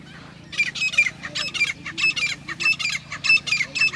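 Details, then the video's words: A grey francolin gives harsh, loud, high calls in quick paired bursts, repeated steadily about every half second, over a faint low hum. "पच्चिम डबल तीतर की आवाज़ | West Dubal Frencolin Voice"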